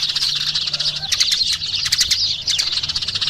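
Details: Short burst of Eurasian tree sparrow chatter, high squeaky chips coming in quick clusters from several overlapping birds.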